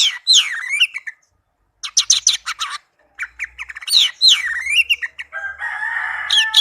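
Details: Captive orange-headed thrush in lively song, mixing downslurred whistles, rapid clicking bursts, and scratchy, buzzy passages, phrases following each other quickly with short gaps.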